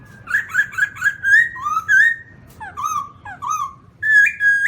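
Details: Fluid whistled phrases from a black-throated laughingthrush: quick repeated notes, then gliding falling and rising whistles, ending on a sustained wavering whistle.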